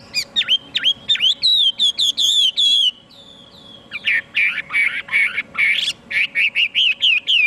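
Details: Chinese hwamei singing loudly: a run of clear, slurred whistled phrases, a brief pause, then quick repeated rising whistles delivered at a rapid pace, with a faint steady hum behind.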